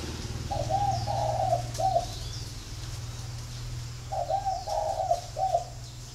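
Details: Captive flock of spotted doves kept at a bird garden in Ba Vì, Hanoi, Vietnam: two mellow, hoarse coo phrases, each a run of three or four soft notes ending in a short clipped note, separated by a pause, over a low hum.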